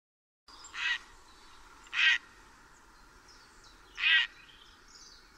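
A grey heron gives three harsh, rasping croaks, each short and spaced one to two seconds apart, over a faint steady background hiss.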